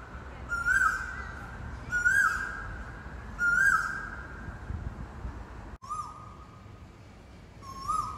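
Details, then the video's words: Black oriole, a bird that has been "howling" around residential blocks for years, gives a drawn-out fluty whistle ending in a quick rising-falling flourish, repeated about every 1.3 seconds, then slightly lower, over steady low hum. "Black Oriole howling"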